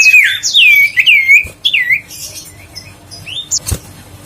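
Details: Huýt cô bird kept as a lure to spur others to sing: a quick run of clear whistled notes sweeping up and down, loud for under two seconds, then fainter scattered whistles and a sharp click.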